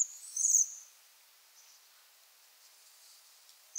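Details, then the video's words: A Bohemian waxwing (Bombycilla garrulus) gives one thin, very high, buzzy trill lasting about half a second, followed by faint quieter trills and soft background hiss. "Vogelstimmen: Der Seidenschwanz - Waxwing - Brombycilla garrulus"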